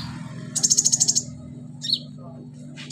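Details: Captive sunbird imitating crickets and chicks: a fast, very high, evenly pulsed trill of about a dozen notes, then a short falling whistle, over a steady low hum.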